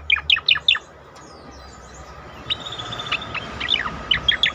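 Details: Striated grassbird song played as therapy to make other caged birds join in: sharp, steeply falling whistled notes repeated in quick bursts, then a thin sustained whistle and more scattered chirps over faint background hum.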